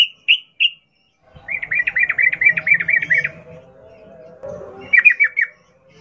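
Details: Sooty-headed bulbul with wild-style rapid 'ngalas ropel' song meant to coax caged birds into singing: three sharp chirps, then a fast rattling run of about ten notes, and a final short burst, over a faint low hum.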